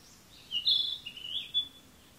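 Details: Bird song recorded on June 28: a single high, clear warbling phrase with a brief sharp note at its end, heard over steady low background noise.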